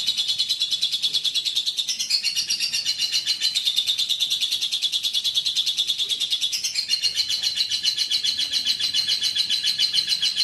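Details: Contest lovebird from Central Java, Indonesia, giving a long, fast, high chattering trill, nearly continuous, with two brief shifts in pitch before the rapid notes resume.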